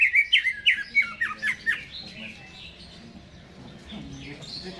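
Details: Caged greater green leafbird singing before being hung up in its cage: a quick run of bright chattering, rising-and-falling notes for about two seconds, then fading to faint high twitters over a quiet indoor background.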